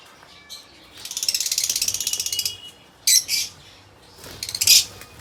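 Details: Pet lovebirds producing a fast, rattling chatter of rapid clicks for about a second and a half, followed by loud, shrill squawks, then a buzzy pulsed squeal near the end.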